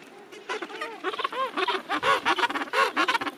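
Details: Gentoo penguin in its breeding colony at the end of summer, a close, loud braying call of rhythmic harmonic pulses, each rising then falling, about eleven in quick succession.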